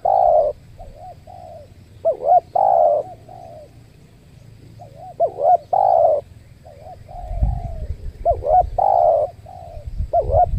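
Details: Spotted doves cooing while a trained decoy dove lures birds at a new site, where a wild dove struck the decoy and fled: repeated low, mellow coo phrases every few seconds, with rustling and handling noise near the end.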